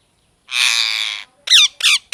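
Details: [5, 'A parrot gives a long, grating screech lasting almost a second, then two short, shrill, downward-slurred squawks.']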